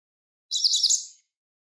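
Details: A Japanese Wagtail at a riverside sings one quick, bright twittering song phrase of high, tumbling notes lasting under a second, against an otherwise quiet background.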